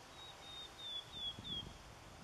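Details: White wagtail calling at Kasumi Park on 13 October 2013: a run of five thin, high whistled notes, each sliding downward, given in quick succession over a soft outdoor background hum.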